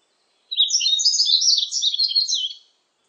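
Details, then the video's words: High, rapid chattering song of the yellow-throated bunting, a two-second burst of mixed chirps and fluttering trills beginning after a brief pause, with slight background hiss. "노랑턱멧새, 여러번 듣기"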